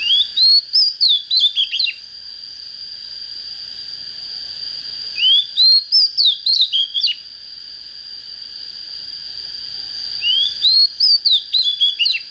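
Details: Oriental magpie-robin just coming into form repeats the same phrase three times, about every five seconds: a rising whistled glide, then a rapid series of sharp, falling notes. A persistent shrill tone sounds in the background.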